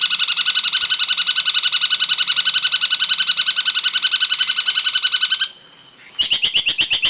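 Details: Cungkok bird song used as training audio for songbirds: a rapid, even run of buzzy, harmonic notes, about three per second, held for five seconds. A brief pause follows, then a higher, sharper chattering run.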